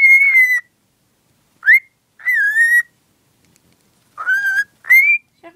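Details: Pet female cockatiel, in love with a cuddly toy as always and showing it, whistling: five clear, harmonic-rich tonal phrases separated by short pauses, some sharply rising, others level and gently wavering, with a final upward-sliding note.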